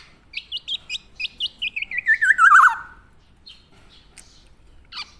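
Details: ['Tame Javan black-naped oriole giving a rapid run of short hooked notes that speed up and fall steadily in pitch into a rough trill, followed by a few faint scattered calls.']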